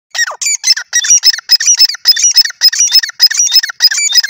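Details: Grey francolin giving a rapid run of shrill, squeaky, ringing notes, repeated almost twice a second in short, even bursts, with no other sounds noticeable.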